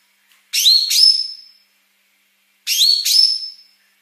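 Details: Fast, dense song of a female Yellow-wattled bulbul, known locally as cucak kinoi, used for training other birds: two bursts, each a pair of quick, high, rising whistles that fade out.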